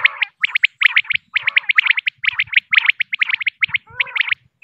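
A female common quail gives quick bursts of scratchy, chattering notes in close clusters, repeated almost without pause. No other sounds are heard.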